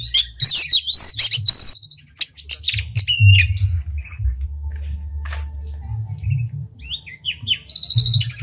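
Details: Oriental magpie-robin singing actively with a spread tail, recorded to provoke other magpie-robins into song: loud varied phrases of high swooping whistles, sharp chips and rising slurs, then scattered quieter notes over a steady low hum.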